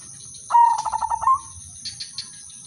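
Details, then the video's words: Udanmas silver zebra dove with a sweet rhythm, kept as a prompt to make other doves join in: one fast, evenly pulsed coo, slightly rising at the finish, then a few faint high chirps. "perkutut/merbok udanmas silver irama merdu spesialis pancingan bikin semua perkutut ikut manggung"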